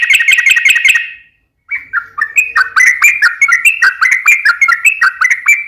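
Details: Lure recording of a constantly singing yellow-vented bulbul, meant to draw replies from other bulbuls: a fast buzzy trill burst, a brief gap, then bubbly, rising and falling chattering notes in quick succession.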